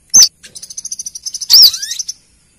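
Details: A female sunbird calling to a male, used as a lure call: a sharp, very high note leads into a quick run of thin ticking notes, about a dozen a second, with another loud piercing note midway.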